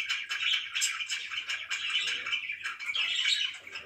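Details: Morning budgerigar chirping indoors, a constant flow of buzzy twittering warbles and short whistled squeaks from pet birds, with no silent gaps.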